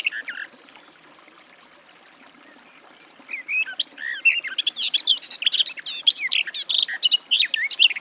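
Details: Garden warbler (Sylvia borin), song.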